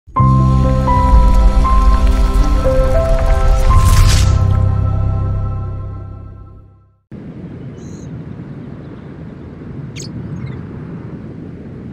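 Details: Seven seconds of music, then steady rain-like noise with a single brief sharp tick near the end.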